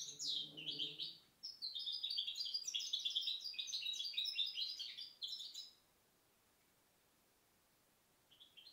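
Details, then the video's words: Goldfinch hybrid (mixto de jilguero) from 2010 delivering a rapid twittering run of high chirps and buzzy notes for about six seconds, then silence, then a brief high chirp near the end. "Mixto jilguero pio 2010 alias el "tormenta""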